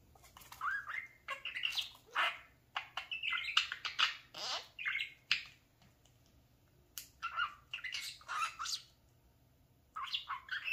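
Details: Pet talking parakeet playing in front of a mirror indoors, giving a long run of rapid squawky chirps and warbled chatter with short pauses, bursts rising and falling in pitch.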